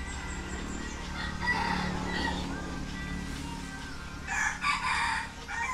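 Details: Young red junglefowl hens dust-bathing murmur with soft, scattered clucks, then a loud, hoarse crow near the end, over a steady low hum.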